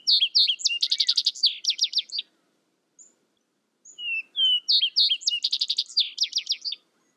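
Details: Two complete Vesper sparrow songs separated by a pause, each a jumble of brisk, high trills and sharp notes after soft introductory whistles, on a quiet background.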